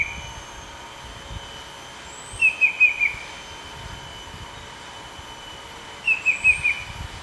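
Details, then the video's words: In Pahang, Malaysia, a banded bay cuckoo perched low and close calls non-stop, possibly in breeding season: two phrases of four thin whistled notes, each dropping slightly, about four seconds apart, over insect drone. "Banded Bay Cuckoo stay low .. making calls"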